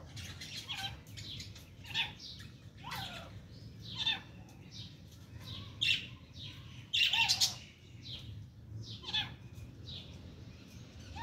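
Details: Female francolin trying to fight with her chicks: sharp chirps and harsh squawking bursts that come irregularly every one to two seconds, with the loudest cluster near the seventh second, over a steady low hum.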